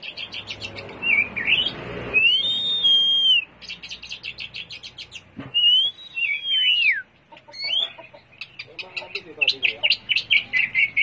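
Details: Oriental magpie-robin in harsh-toned song used as a lure for other magpie-robins: sweeping slurred whistles mixed with dense rattling chatter, ending in a fast run of repeated sharp notes.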